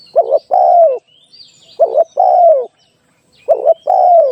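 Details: Spotted dove calling for a trapping lure, giving three even phrases of a short rolling note and a longer descending coo, spaced roughly one and a half seconds apart, with thin high twitters of other birds between.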